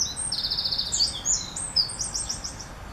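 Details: Male Eurasian wren courting in Northern Germany on 2 July 2017, singing for a female to use the nest he built in ivy in March; rapid, very high trills and sharp twittering notes pour out continuously, loud and shrill.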